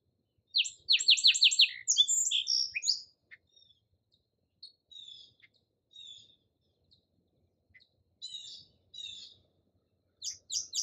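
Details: Song sparrow song opening with a run of short, sharp repeated notes into a varied trill, followed by softer scattered chips and a few more brief phrases.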